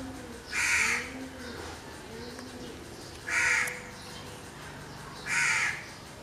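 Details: Crow calling three harsh caws spaced roughly every two and a half seconds, with soft warbling from other birds and faint background noise between calls.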